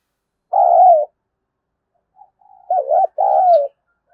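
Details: Spotted dove cooing to attract wild doves. First a long descending coo, then after a pause a wavering two-part coo leading into another falling coo.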